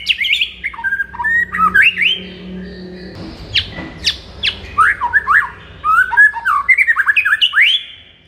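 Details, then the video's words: White-rumped shama in morning song, used to excite a kept shama: a fast, varied run of whistles and sharp downward slurs that barely pauses, with a faint low hum underneath. "MASTERAN MURAI BATU DI PAGI HARI AMPUH UNTUK NAIKKAN EMOSI MURAI BATU ANDA"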